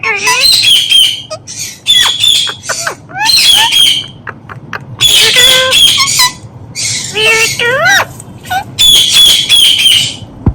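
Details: Indian ringneck parakeet mixing speech-like mimicry with harsh, shrill squawks: rapid bursts of noisy screeches interspersed with short rising, voice-like harmonic phrases, delivered in irregular clusters over about ten seconds, quiet hum underneath.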